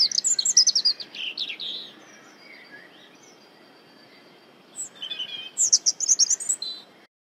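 A European robin gives two bursts of high, thin, rapidly varied twittering phrases, separated by a few seconds of quiet with faint background hiss.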